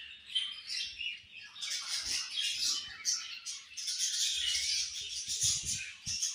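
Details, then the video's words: A flock of budgies builds into loud, dense high-pitched chatter and raspy squawks, with soft knocks and rustles from the cage. "Very Charming Colorful Beautiful Budgies Chirping Sounds"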